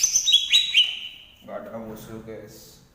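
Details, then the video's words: Green leafbird of Banyuwangi origin, Indonesia: a quick burst of high, clear whistled notes, each sliding downward, lasting about a second, then a man's voice talking over quiet background. "Burung cucak ijo asli Banyuwangi"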